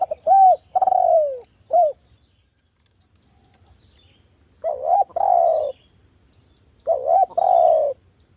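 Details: Javan spotted dove used as a calling lure: three phrases of stuttering notes leading into a drawn-out falling coo and a short upturned note, separated by quiet gaps, no other sounds.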